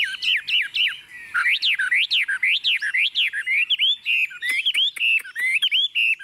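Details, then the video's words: Hand-raised tame hwamei singing confidently on a table: loud, ringing whistles in rapid up-and-down phrases, a steady series of repeated swooping notes, then choppy clipped whistles at the close. "Họa mi thuần xách tay đặt bàn tự tin hót"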